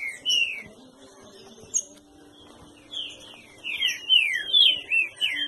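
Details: Captive green-winged saltator from a breeding aviary delivering strong whistled notes that swoop downward, a short pause, then a quick burst of six or seven slurred whistles, other small birds chirping faintly in the background.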